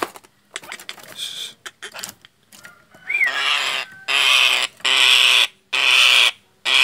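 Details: Frightened Nias hill myna giving a fear/alarm call, used for luring birds: loud, harsh, rasping screeches about half a second long, repeated roughly once a second after a few scattered clicks and softer notes.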